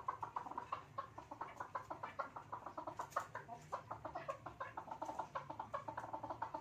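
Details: A male and female pair of Chukar at play; loud rhythmic chuk-chuk clucking, evenly spaced pulses running continuously at about four to five per second, clear over a low background hum.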